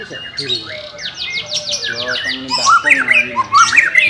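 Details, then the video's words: White-rumped shama singing, used for training a bird that is reluctant to sing: a quick series of high descending sweeps, followed by clear looping whistles and sharp chirps. "CARA MELATIH BURUNG MURAI BATU MALES BUNYI"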